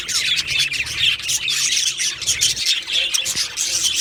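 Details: Male Australian budgerigars, two of them, keeping up lively chirping: quick squeaky notes about every half second over a continuous buzzy chatter, with faint low background hum.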